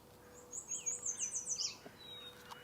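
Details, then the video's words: Black-capped Chickadees, possibly a pair, at a marsh early on a Sunday morning give a quick run of very high, thin notes lasting about a second, then a few lower slurred notes, over a faint background hum. "chickadees."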